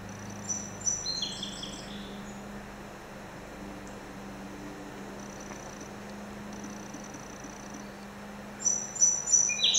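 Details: Song sparrow, a small visitor singing at a window: short bursts of high chirped and whistled notes open the clip, then a long quiet stretch with faint thin tones, and a fresh run of sharp high notes at the end over a low steady hum.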